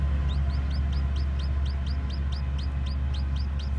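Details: Newly hatched white bantam chicks with black tails walking about, uttering clear, high, hooked peeps roughly four a second, evenly spaced, above a strong constant low hum.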